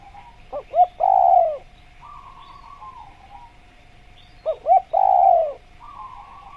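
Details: A spotted dove gives two short hooting notes and a loud, drawn-out coo, then a softer trailing coo, repeating after about four seconds over a faint steady hum; used as training audio to get doves calling sooner.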